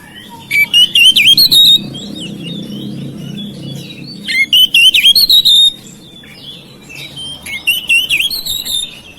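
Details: Kept oriental magpie-robin singing to prompt silent, stalled birds into song: three bursts of loud, rapid whistled and scratchy notes with sharp clicks, separated by quieter gaps with soft low hum.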